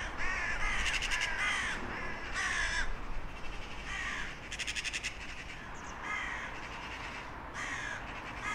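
Harsh, rasping crow caws in repeated bursts, several calls close together then short pauses, over a steady low background rumble.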